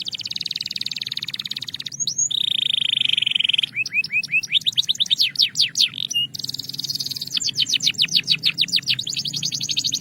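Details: A Belgian canary sings calmly with a sustained low buzzy roll, followed by bursts of rapid sweeping notes and a final stretch of fast, even trilled syllables.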